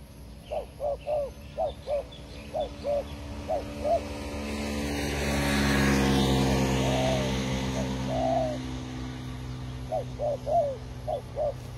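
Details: Trapped-area forest doves cooing in brisk rows of short, arched notes, broken in the middle by a swelling engine or aircraft roar, with a couple of longer coos before the quick series returns.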